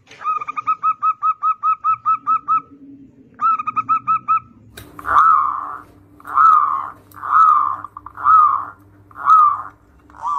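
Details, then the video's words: Zebra dove singing actively, a lure recording to prompt young untrained doves to sing: a quick run of short mellow notes, a brief pause and a second run, then slower, longer rounded coos about once per second. "PERKUTUT GACOR syahdu buat Kelangenan Pancingan Perkutut Bahan"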